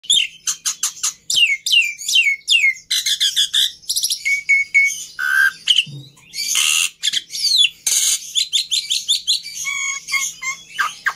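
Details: Black-winged myna singing a fast, varied medley of sharp downslurred whistles, buzzy bursts and chattering notes, delivered in quick dense phrases with brief pauses.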